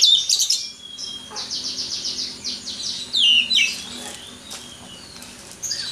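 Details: Prize-winning white-rumped shama singing freely: a burst of high warbles, then a quick train of repeated buzzy notes, a bright slurred whistle, and softer scattered notes toward the end.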